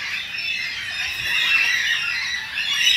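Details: Carnaby's black-cockatoos, an endangered species, calling in a Perth backyard in Western Australia: a chorus of long, nasal, wavering squawks from several birds, swelling louder midway.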